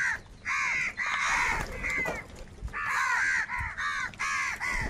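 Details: Many crows squabbling over food call together in loud grating caws. Dense clusters of calls are broken by a quieter gap in the middle.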